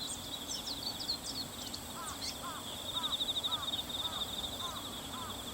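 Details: One Bull-headed shrike of uncertain sex, 22 September 2015, recorded with a compact camera and external microphone; a few higher scratchy notes, then seven repeated arched calls about two per second over a constant high insect buzz.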